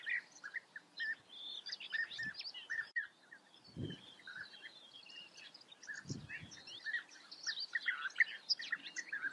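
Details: European bee-eaters in the Eifel, Germany: a dense chatter of short rolling calls from several birds, overlapping constantly, with a few soft low thumps.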